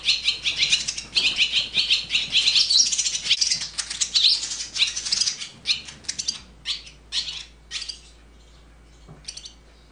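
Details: Swallow chicks in the nest during parent rearing, begging: dense, high, buzzy chattering pulses in the first five seconds, then scattered sharp clicks and short chirps fading toward the end.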